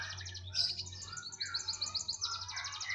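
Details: A canary delivers a dense, high-pitched song of quick repeated trill notes and buzzy rolls, with a faint low hum beneath.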